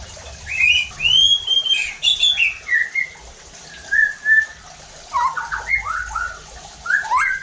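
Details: White-rumped shama song used as a lure to provoke rival shamas: loud clear whistles rising and falling, a string of quick phrases, then jumbled rapid notes.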